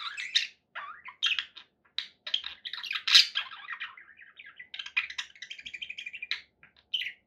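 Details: Pet budgerigars warble indoors: a loud jumble of squeaks and squawks that gives way to a softer, rapid, rattling stream of chirps.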